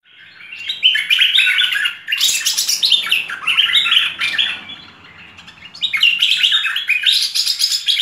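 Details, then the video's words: Bulbul (merbah lekir) singing a full song for a tutor recording: rapid chattering phrases of jumbled chirps and warbles, bursts of about two seconds with a short lull in the middle. "Masteran Merbah Lekir Full Isian"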